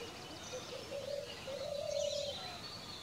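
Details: Maroon Oriole in Sattal forest, Nainital, Uttarakhand, giving two low, mellow fluted whistles, the second longer and slightly rising, over faint high chirps from other birds.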